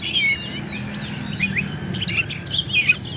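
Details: Kacer (Oriental magpie-robin) singing to excite rivals: clear descending whistles, then a sudden harsh buzzy burst followed by looping whistled phrases, over low background hum.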